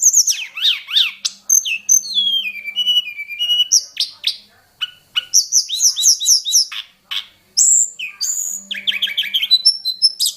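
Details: Hill blue flycatcher of the mountain forest, wild, singing a varied song full of different phrases: zigzagging whistles, bouncy repeated slurred notes, and bright high chips, almost without pause.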